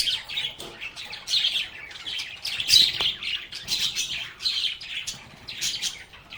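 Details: Several lovebirds singing and playing, giving rapid, overlapping squeaky chirps and metallic twitters that keep going throughout with little pause.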